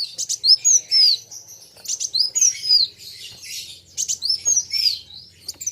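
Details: Kolibri wulung sunbird singing against a rival: short bursts of high buzzy chirps, each ending in a clear down-slurred whistle, repeated roughly every second, over a faint low hum.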